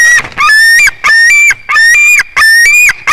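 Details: White-tailed eagle eaglet in its nest at Durbe, filmed on a live nest broadcast on 13 August, its fourth day in the nest: four long, drawn-out, rich harmonic whining calls, each slightly rising and then dropping, with short pauses between.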